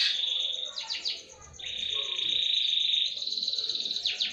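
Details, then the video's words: Canary song used as a lure to get other birds singing: long sustained trilled notes, rapid descending sweeps and a steady high buzzy roll, all high-pitched and continuous. "Kicau pancingan kenari"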